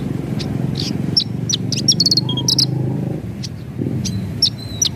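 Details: Javan bush lark singing in the lively gacor style, described as ngerol nembak: sharp high chirps and short buzzy trills scattered through five seconds over a steady low droning hum.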